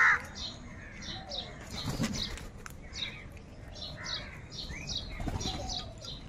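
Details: A large flock of crows fighting for food, calling together: short, harsh, downward-slurred cries overlap and repeat several times a second with a steady hubbub, plus a few wing-flap-like thumps.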